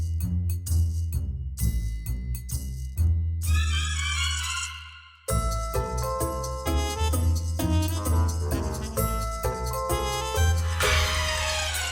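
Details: Upbeat music with bright mallet percussion and jingles over a strong bass beat, with no animal sounds.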